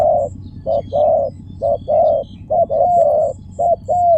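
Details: Spotted dove calling in fast couplets of mellow coos, each short note followed by a fuller, falling note. Thin high chirps are heard faintly behind it.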